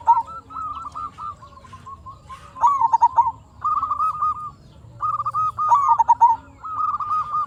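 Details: Local zebra dove in lively song used to draw replies from other zebra doves: repeated phrases of rapid, mellow stuttering coos, some louder and rolling, some softer and even, roughly every one to two seconds.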